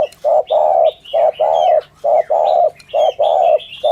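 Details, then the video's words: A spotted dove cooing in the 'thổ thúc gù' manner, a recording meant to lure doves for trappers. Soft, deep paired coos, each a brief note followed by a fuller, drawn-out one, come steadily; thin twittering of small birds sounds above. "tiếng chim cu gáy chuẩn thổ thúc gù"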